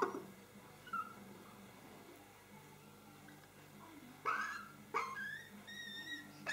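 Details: A hand-reared hooded crow chick in Mályi on 31 May 2013, which begs for food every two hours, gives harsh, raspy squawks about once a second in a burst near the end, after a quiet stretch with low hum.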